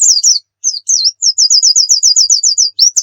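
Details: Oriental white-eye singing actively, meant as a tutor recording for other birds: high thin twittering notes, then a fast run of about fourteen identical slurred chips, ending with sharper high chirps.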